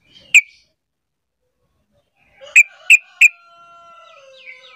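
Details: Sooty-headed bulbul call for prompting other bulbuls to respond: a lone sharp chip, a pause of two seconds, then three spaced chips, followed by faint whistled tones.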